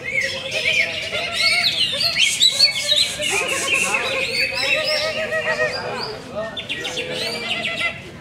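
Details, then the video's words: Greater green leafbird with many contest wins, up for sale, sings rapid tumbling phrases: chattering high notes, slurred whistles and a short buzzy rattle in the middle, delivered almost without break. "CUCAK IJO MEWAH PRESTASI BANYAK"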